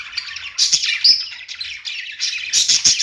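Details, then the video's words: Budgerigar song from birds on a perch: buzzy chirping phrases with a thin rising whistle, ending in three quick loud chirps. "budgies singing on perch"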